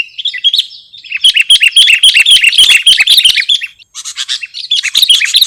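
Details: Sooty-headed bulbul lure and masteran recording: a loud, lively stream of rapid warbled notes bouncing up and down, with a brief pause before a fresh chattering burst.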